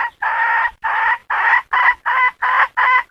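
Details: Hen calling in quick succession: seven short, rasping, nasal notes, about three per second, evenly repeated and loud against a quiet background.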